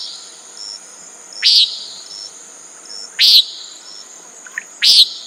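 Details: Common nighthawk uttering three harsh peent notes about every one and a half seconds, accompanied by a steady insect drone and a faint brief chirp.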